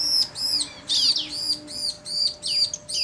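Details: Male and female bar-winged prinia in back-and-forth song: loud, high, arched chirps repeated about twice a second, each with a bright downslurred tail.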